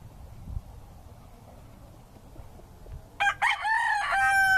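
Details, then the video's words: A rooster gives two short harsh notes, then a loud, drawn-out crow-like cry; described as a rooster calling hens to food, telling them where the food is, or warning them. "Rooster Sounds Hens for food"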